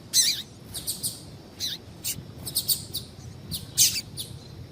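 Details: High, bright chirps from a female double-collared seedeater, a call meant to stir males into song, repeated in short bursts roughly every half second with a few doubled notes.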